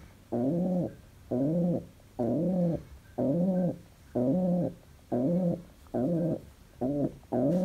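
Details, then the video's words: Happy pet pigeon indoors giving a steady run of deep, rolling coos, each about half a second long with a rising-falling wavering pitch, repeated roughly once a second in a regular rhythm. "Loki the Pigeon is too happy and smiles"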